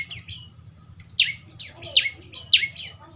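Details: Prinia chick (prenjak lumut) calling: softer high notes, then three loud, harsh, descending chirps spaced about half a second apart.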